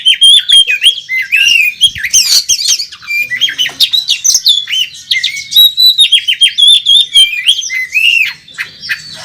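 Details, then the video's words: Caged Oriental magpie-robin in fighting mode at a bird contest, pouring out a fast, varied song of clear whistles, slurred rising and falling notes, harsh scratchy bursts and rapid chirps, about three or four notes a second, without pause. "Burung Kacer Tarung Ngobra ngotot saat di trek"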